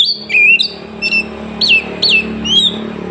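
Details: Oriental magpie-robin from Woncoyo village, Trenggalek, Indonesia, recorded on an Android phone, giving its sought-after 'tembakan' phrases meant to make rivals back down: loud clear whistles sliding down, then a series of short swooping upslurred notes with pauses.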